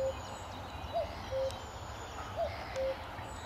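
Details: Common cuckoo at Amwell Nature Reserve, sunny May 2014 morning: steady cu-coo calls, each a brief higher note then a longer lower flat note, repeated roughly every 1.4 seconds, against soft background birdsong and breeze.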